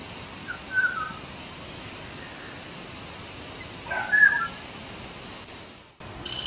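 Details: Black-naped oriole singing: two short, rich fluted whistled phrases about three seconds apart, each a quick slurred warble, over a steady background hiss, with a sharp click and a burst of noise near the end.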